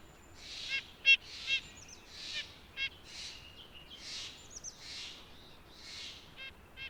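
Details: White-breasted nuthatch calling: short nasal, buzzy single notes spaced irregularly a second or more apart, mixed with soft whooshing bursts of background noise.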